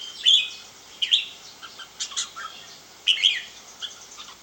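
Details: Red-whiskered bulbul: sharp, high whistled notes in short bursts about once a second, each phrase a quick slurred chirp, with softer notes between.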